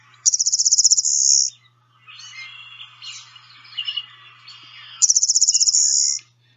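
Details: A Blue-winged Warbler sings a type 2 song, the variable, less common song that cannot be told from a Golden-winged Warbler's type 2. A high, rapid buzzy trill opens and closes the phrase, with a jumbled, lower chattering section between.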